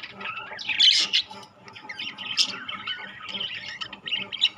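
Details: Rainbow and classic colour budgerigars together, giving a dense, warbling chatter of squawks and chirps, with a louder burst near the first second and steady overlapping twittering throughout.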